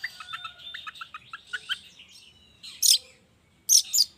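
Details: Morning lure recording of long-tailed shrike for coaxing reluctant shrikes into song: a run of quick, evenly spaced chirps at first, then a pause and two loud harsh hissy bursts.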